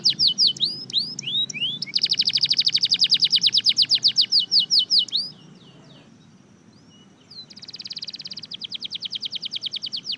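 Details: Powerful red factor canary singing: fast, high, rhythmic trills of sharp repeated notes that open with a few slurred whistles, pause briefly, then resume with another quick, even trill.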